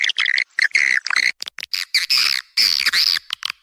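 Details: Lure recording of swiftlets, used by farmers in swiftlet houses: short, harsh, squawky chirps in quick irregular bursts, some longer rasping notes, with brief silences between them.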